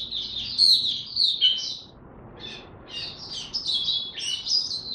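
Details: Oriental white-eye held as a songbird, ramping up to 'buka tiong aw' singing: a high tumbling twitter, a short pause, then renewed rapid chirping notes, with background hiss throughout.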